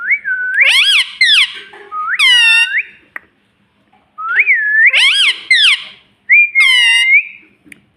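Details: A pet ring-necked parrot talking, uttering two matching phrases of high, swooping, squeaky syllables, each ending in a drawn-out rising note, separated by a brief silence.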